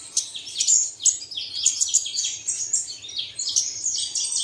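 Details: Played at dawn to make caged birds sing: loud, choppy high chirps and descending twittered notes in quick bursts, with slight background noise.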